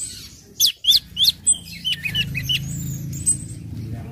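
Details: Orange-headed thrush in ngecip, ngecit and ngeplong song, used as a lure so other birds sing too; four loud sharp upswept notes, then softer quick whistled twitters over a low rumbling background.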